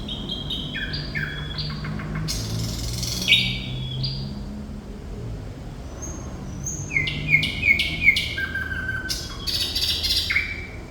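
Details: Continuous thrush nightingale song ('gacor'): stepped whistled phrases, then dry rattling bursts, then a quieter stretch of high thin whistles before fast clicking trills and repeated short whistles about three per second. Low hum underneath.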